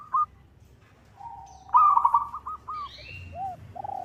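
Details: Local zebra dove calling to a rival, a call used as a lure: a short coo, then a long low note that breaks into a stuttering trilled coo and separate arched notes, with faint higher chirps from other birds.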